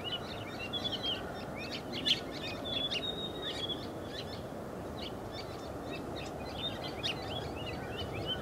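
White-browed woodswallows give a steady stream of short, sharp chirps and brief scratchy notes, several per second, over a constant low rumble of wind or distant noise.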